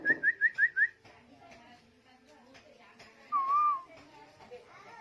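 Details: Singing tuwu bird from Lombok in 2021: a quick burst of five short rising whistles within one second, then after a pause a single slurred, wavering whistle, with a faint noisy background and occasional clicks.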